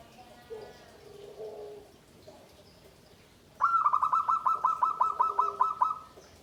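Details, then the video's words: Perkutut, or zebra dove, of the Satrio Pinayungan type singing in a bamboo cage with a voice valued as hard, loud and carrying. Faint calls come first, then a rapid run of about fifteen pulsed, mid-pitched coos lasting nearly three seconds. "SUARA PERKUTUT SATRIO PINAYUNGAN || GUARING ATOS BANTER TEMBUS"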